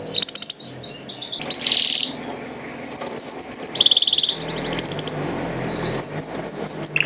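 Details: Canary singing: bright high trills and rapid repeated notes, sweeping whistles and buzzy bursts, broken by short pauses, with faint low room noise beneath.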